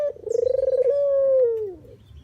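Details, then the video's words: Puter or deruk dove, a lure call for trapping: one low rolling coo that starts with fast pulses, then holds a smooth tone that slides down at the end. "suara asli burung puter/deruk buat isian,pikat dan pancingan"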